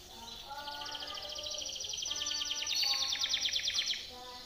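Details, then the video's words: Timbrado canary training song: a fast, even, rattling trill that swells in loudness and then stops abruptly, over faint background tones. "TIMBRADO canary singing - Timbrado canary's most powerful song for training / canary training song"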